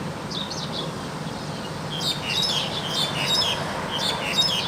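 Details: Wild crested myna singing actively, with short chirped and whistled notes around the upper-middle range coming in loose bursts, the busiest stretch in the second half, over a steady low background hiss.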